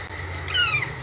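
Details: A young green pet great-billed parrot that talks gives one brief, nasal, slightly falling vocalization, rich in overtones, over a low steady hum in a quiet room.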